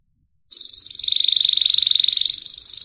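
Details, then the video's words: Gloster canary, a domestic canary, recorded in 2018, singing a loud, continuous, fast-pulsed rolling trill on a high, steady pitch that dips slightly and rises again. Faint low rumble sits underneath. "GLOSTER canary"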